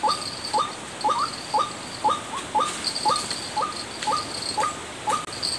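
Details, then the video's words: Lure call of the white-breasted waterhen played to draw in birds: brief upward-flicking notes repeated at an even pace of roughly two per second, with faint high ticking and hiss behind. "suara pikat burung ruak ruak"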